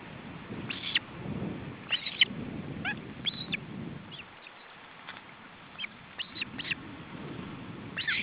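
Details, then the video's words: Male osprey attempting to feed his chicks at an Estonian nest in July 2012: scattered sharp whistled chirps in small clusters, separated by quieter gaps, with low wind rumble beneath. "Male osprey and his chicks: Feeding attempt"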